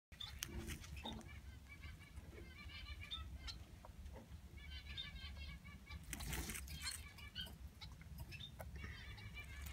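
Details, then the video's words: Six society finch chicks, 7–9 days old, including crested society finch young, in the nest give rapid, thin, high chittering calls in repeated bursts over a low steady hum and occasional rustling thumps. "Society/Bengalese Finch chicks in nest 7-9 days old"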